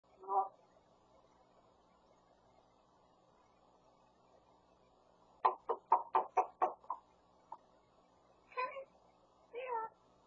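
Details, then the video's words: A talking grey parrot that repeats whatever it hears mimics sounds: a single squawk, then a quick run of about seven sharp knocking notes like hammering, then two short speech-like phrases. "말잘하는 회색앵무새"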